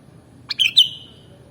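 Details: Sooty-headed bulbul (kutilang) giving one short bubbly phrase: a few sharp clicks, then a quick warbled note sliding into a thin trailing whistle, over a quiet low hum.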